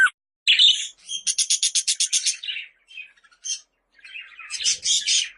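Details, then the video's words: Budgerigar calling: a sharp chirp, then a fast run of about ten evenly spaced rasping clicks, followed by softer warbled notes and a closing burst of scratchy chatter. "Muhabbet Kuşu Sesleri"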